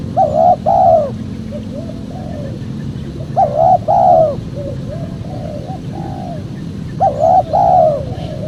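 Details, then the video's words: Spotted dove call used to lure wild doves for trappers: three repeated phrases, each two strong hooting coos followed by softer, lower trailing notes, about every three seconds over low background hum. "PEMANGGIL BURUNG TEKUKUR SUPER JERNIH"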